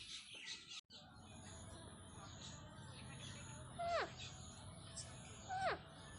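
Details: A pet talking parrot named Misty gives two sharp, downward-sliding, voice-like calls about two seconds apart over a low background hum, with faint speech nearby as someone calls its name.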